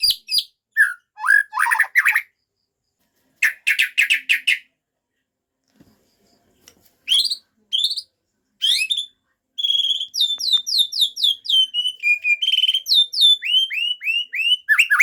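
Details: White-rumped shama singing a varied repertoire: scattered buzzy trill phrases with pauses, then a long fast run of repeated sweeping whistled notes near the end.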